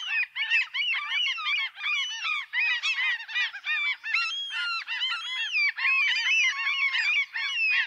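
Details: A crowd of seagulls calling continuously, harsh arched squawks tumbling over one another at a fast, uneven pace, many birds overlapping throughout.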